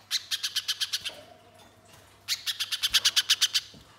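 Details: Spiderhunter lure song to make other birds sing: two bursts of sharp, high, rapid chips, about eight then ten notes, separated by a second of quiet, over a faint low hum.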